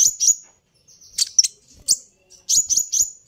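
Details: Sunbird call used to provoke a reply from other sunbirds: sharp, very high chips, some doubled, in short bursts separated by brief silences, with faint softer notes between.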